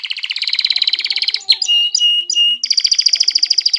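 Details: Excited male canary singing to prepare females for mating, a high rapid trill of repeated notes, then several clear sustained whistled tones, ending in another fast high trill.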